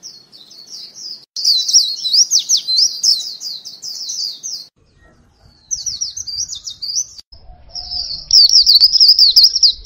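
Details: High-pitched, rapid twittering song from a white-eye kept as a lure, with dense warbling bursts, short gaps, and faint low thumps in the background.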